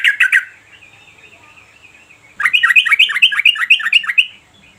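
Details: Yellow-vented bulbul (Pycnonotus goiavier), song.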